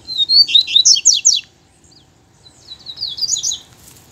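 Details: Caged double-collared seedeater taken to the bush to sing in competition with a loose male: two rapid, high, sweeping warbled phrases of twisting notes with a short pause between.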